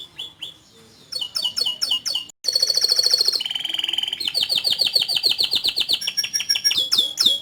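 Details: Canary in long, continuous song. Scattered chirps open into a rolling buzzy trill and a lower rattling tour. Rapid repeated downslurred whistles follow, then further high chirps.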